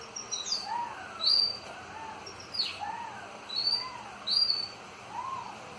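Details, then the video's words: Several kept pet canaries give short, separate high whistled chirps spaced about a second apart, with soft lower swooping notes beneath and quiet background hiss. "UM POUCO DOS MEUS CANÁRIO FAZENDO BARULHO!"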